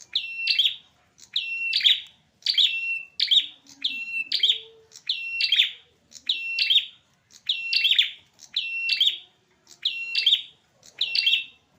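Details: Strident chirp bursts from male prinias locked in a fight. The bursts repeat steadily, roughly once a second, each a tight cluster of sharp, high notes. A faint low tone is heard in the background.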